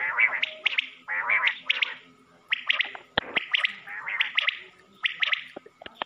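A common quail gives sharp, bright, slightly buzzy phrases in quick bursts, roughly one every second, with a few dry clicks between them.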